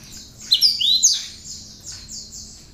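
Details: Tame, hand-reared captive great tit in full song, its song filled with prinia-style phrases. Kept as a master bird for training others. Sharp high chirps and down-slurred whistled notes cluster mid-clip, with a steady high buzzy trill underneath.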